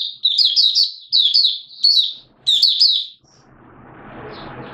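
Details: 'Buka sing' of a Malaysian Oriental white-eye recorded 29 March 2023 in Singapore amid warm, humid conditions and sudden showers: four lively bursts of high, slurred twittering notes, followed by a swelling rushing noise at the end.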